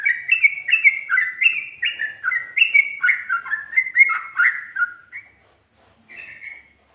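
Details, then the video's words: Sooty-headed bulbul ropel song with ngikluk and garuda phrasing: rich, jerky whistled notes in a rushing five-second burst, then a pause and one soft closing whistle. "Burung Trucuk Ropel,ngikluk...ada ngGARUDAnya juga"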